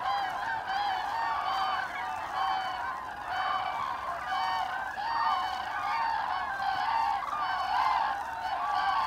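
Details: Autumn migration of Common Cranes, 25 October 2021: a passing flock gives clear, harmonic-rich trumpeting calls about once a second, overlapping with fainter calls behind into a steady bugling chorus.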